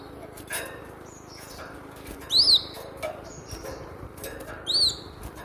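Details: Cinereous tit song used to train captive birds: two clear high arched whistles, each a quick up-and-down chevron, about two seconds apart, over a faint steady hum and soft clicks.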